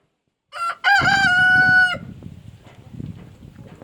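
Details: Rooster waking on a foggy, wet, cold dawn while chickens search for a way in; one loud crow with brief stuttered opening notes, then a long, steady, harmonic-rich held tone that cuts off sharply, followed by low rumbling background noise.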